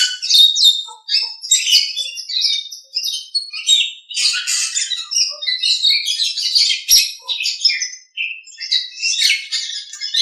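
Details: Nias hill myna singing in a training recording for other songbirds: a dense, continuous run of varied loud whistles, chatters and harsh squawky notes, mostly high-pitched, with hardly a pause throughout.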